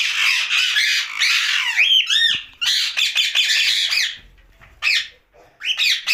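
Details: Captive ringneck parakeet calling at night, a nearly continuous stream of harsh, grating squawks mixed with short rising and falling chattering notes, with brief pauses near the end.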